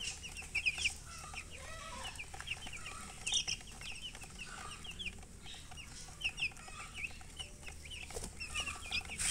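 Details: Quiet chorus of chicks, thin high peeps coming in small bursts spread across the clip, some short double notes, over a low background hum.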